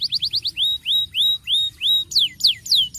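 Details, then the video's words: Starblue canary, caged, with a rolling song to draw young canaries into song: five quick chirps, a row of long rising whistles about three a second, then steep falling sweeps. "kenari starblue gacor ngeroll ampuh unultuk pancing bunyi kenari muda"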